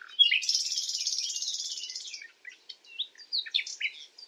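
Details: Common nightingale singing at night, a long loud buzzy churring phrase of rapid high notes followed by sharp separate chirps and whistled flicks.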